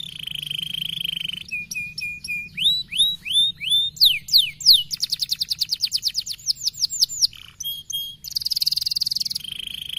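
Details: Canary delivering dense 'gacor speed rapat' song: a buzzy tone, short level whistles, rising slurs, a long rapid trill of evenly spaced notes, and a final high rattling buzz.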